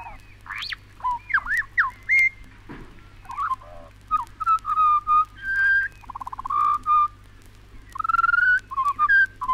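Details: Australian pied butcherbird song, from a 1968 wildlife record. A varied series of mellow whistles, swooping slurs and short piping notes follows, with a brief rapid trill in the middle and fluted phrases continuing to the end.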